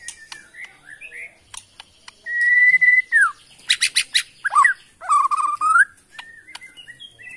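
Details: Bornean white-rumped shama from the Kalimantan forest, caged, singing a mix of short whistles, a long steady whistle falling at its end, dense buzzy rattles, and a sweeping downslurred phrase, with faint ticks around.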